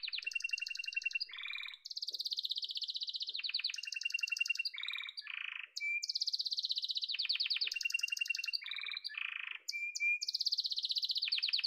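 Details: Long yellow canary song of alternating rapid high trills, low buzzy rolls and short clear whistles, phrases cycling again and again without pause.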